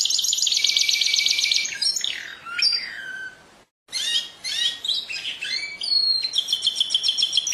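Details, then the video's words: Singing canary: fast trilled rolls, then descending whistled slides and varied chirpy notes, a short silent break midway, and more rapid trills at the end. "Chant du Canari- تغريد الكناري"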